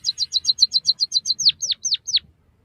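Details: White-headed munia song played to stimulate and train captive birds: a fast run of about twelve high chirps, then four sharply descending whistled notes.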